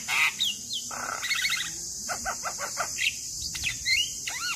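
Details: Male Javan myna song used as a lure to get other birds singing: varied whistles, rising and falling slurred notes and rapid trilled bursts, with a steady high hiss throughout.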